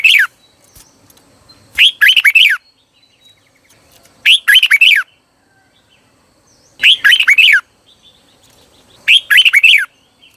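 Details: Red-whiskered bulbul used as a decoy, singing to attract wild birds: four clear phrases of fluty, chirping notes that swoop up and down, spaced about two to three seconds apart.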